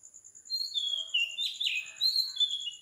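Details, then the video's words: Oriental magpie-robin singing at 4 am in Sri Lanka; clear whistled phrases sliding between high and mid pitch, a brief buzzy burst midway, over a steady pulsing insect drone. "Morning Bird Song 4 Meditation Relaxation insomnia Magpie Robin Singing"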